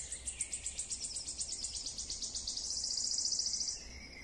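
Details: Wood warbler song: a rapid run of high, thin, pulsing notes gathering speed and ending in a sustained, high, shivering trill, over a faint background hiss.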